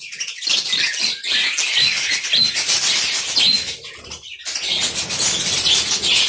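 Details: A colony of budgerigars in an aviary chatters nonstop in a dense wash of high, scratchy warbles and chirps, overlapping throughout with brief lulls and some wing flutter.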